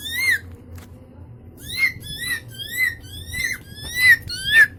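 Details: Caged-indoors pet Indian ringneck parakeet by a mirror and phone, calling a series of sharp rising upslurred squawks about every half second after an opening note and pause.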